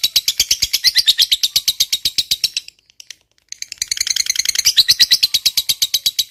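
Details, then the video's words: Lovebird performing a long ngekek trill, used to provoke other lovebirds into replying. A rapid, high chattering rattle stops for about a second, then starts up again with a burst of fast, buzzy notes. "Suara Burung Lovebird Ngekek Panjang, PINTAR Memancing EMOSI, LB Bisu SUSAH BUNYI Langsung NYAUT"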